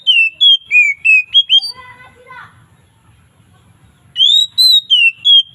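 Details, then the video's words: Oriental magpie-robin singing its loud ngeplong song in the afternoon, relaxed and varied: sharp whistled notes dropping in pitch, a short lower, throaty stretch, a pause, then fresh high rising whistles. "SUARA KACER NGEPLONG SANTAI|VARIASI DI SORE HARI"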